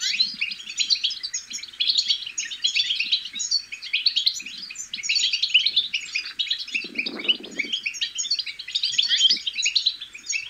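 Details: Bitbita song of European goldfinch chicks, used to rouse goldfinches into singing and mating. Busy, high chattering twitters run throughout, with a brief low rustle near the middle.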